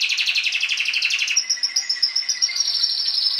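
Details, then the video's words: Song of a Timbrado canary: a fast pulsing trill, then shifts into a sustained high rolling tour of evenly repeated notes, clean and loud throughout. "CANARY SINGING BEST VIDEO TO TRAINING CANARIES"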